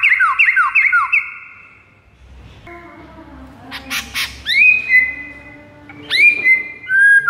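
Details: White-rumped shama lure song for rivals: rapid chattering down-slurred notes open the clip, followed by a noisy stretch with clicks, then rising, held whistles.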